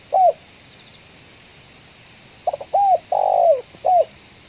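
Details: Spotted dove in a coffee plantation, ngeruk-style kuk 1 voice heard while luring: one arched coo, then a stuttered pair, arched coo, long rough falling note and a closing short coo.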